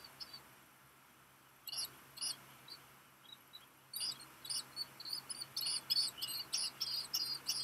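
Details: Black guillemot chick, one of two hatched 29 June 2021, hears a parent arriving with rock gunnel at its nest on Seal Island National Wildlife Refuge, Maine, USA, midday 13 July 2021; faint high peeps, then rapid thin whistled peeps from midway.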